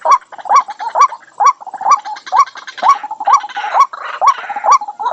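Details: A White-breasted waterhen call used to lure wild waterhens gives a steady run of loud, croaking kwak notes, about two a second, over softer overlapping chatter.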